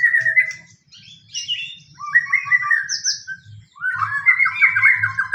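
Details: Fighting-style lure song of a white-rumped shama, used to get other shamas singing: a chattering phrase, long gliding whistles, a high clear note, then a loud rapid rolling trill.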